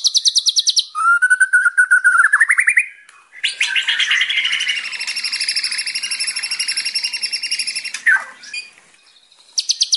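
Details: White-rumped shama (murai batu) song used as a training track for young untrained birds: a quick burst of high repeated notes, then a lower whistled trill rising in steps, a long dense buzzy warble, and bright repeated notes again at the end.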